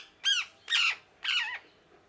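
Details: Parrot making three loud, raspy squawks about half a second apart. Each is a strident, buzzy note with a rich, layered tone that bends slightly downward.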